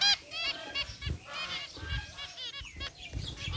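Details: Zebra finches, white and gray birds kept together in a cage, chatter busily: dense overlapping nasal beeps and short trumpet-like notes, with soft low thumps and rustling underneath.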